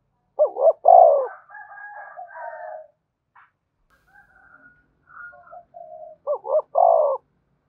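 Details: Spotted dove coo used to lure wild doves so they call and come in: loud, low throaty coo phrases open and close the stretch, with fainter, higher overlapping cooing notes between.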